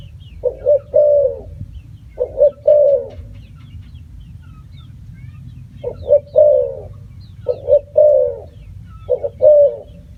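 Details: A spotted dove repeats its cooing phrase, two brief notes leading into a longer falling coo, with irregular pauses between phrases and a faint low rumble behind.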